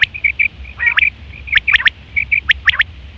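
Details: Quail call from September 2023, used for hunting and mating: bright high notes and quick rising two- and three-note chirps, tightly spaced, over a faint low background rumble.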